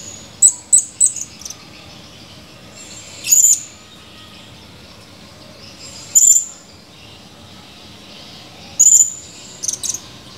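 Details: Male Blue-crowned hanging parrot, actively calling, recorded 17 July 2020: a quick run of tiny high ticks, then single longer shrill, slightly buzzy notes about every three seconds, ending with short squeaks.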